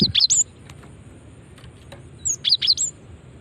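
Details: Cinereous tit female call used to draw in other birds. Two brief groups of thin, high-pitched chirps, three or four rapid notes each, with a short quiet gap between them.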